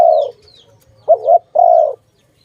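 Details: A dove coos during bird trapping: a long low coo fades out, then after a pause a quick wavering coo and another sustained hollow note follow, with a faint bird chirp early on.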